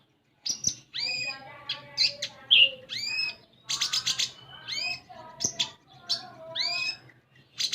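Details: Untrained common iora, a captive bird, in a dense, varied song of sharp chirps, upslurred whistles and buzzy notes that come in quick bursts, with short pauses between phrases, over a faint low hum.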